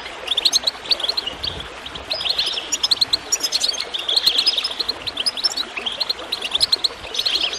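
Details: Goldfinch chirping over gurgling water, waves of fast high twittering notes swelling and easing across the stretch, with low water sounds beneath.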